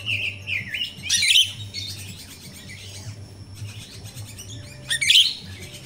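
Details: Myna (jalak rio-rio) singing in the wild, used as a training lure for captive birds: wavering whistles open, then two loud rasping squawky bursts about four seconds apart, with a low background hum.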